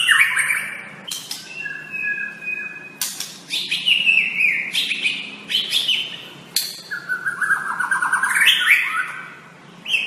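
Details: Master song of a white-rumped shama for training caged birds: continuous, fast-changing medley of whistles, sharp clicks and trills, ending in a descending stuttered rattle of rapid notes.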